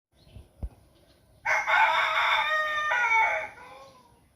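A rooster gives one loud, harsh crow of about two seconds, held steady, then breaking and dropping at the end, after a couple of soft thumps.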